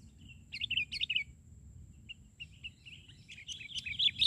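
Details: Sooty-headed bulbul (kutilang) calling from the ground during bird trapping: two short bursts of quick liquid chirps, a quieter pause with scattered notes, then a louder bubbly warbling phrase at the end over low background rumble.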